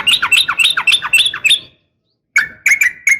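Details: Female sooty-headed bulbul calling a male in a fighting style; a quick series of sliding, bubbly notes, a pause, then a few sharp clipped notes.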